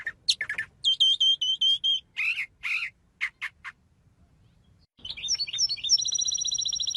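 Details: Songbird singing: sharp high notes and a run of bright repeated whistled phrases, a harsh buzzy pair, short chips, a brief pause, then a fast high rattling trill.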